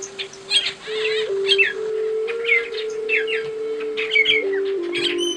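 An African starling sings a busy, varied run of quick chirps, slurred whistles and chatter, over a steady low humming tone like background music.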